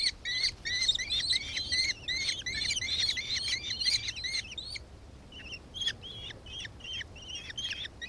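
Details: Rapid shrill chatter of a nankeen kestrel in Victoria, Australia, on 4 December 2024, loud and dense for nearly five seconds, then fainter scattered notes.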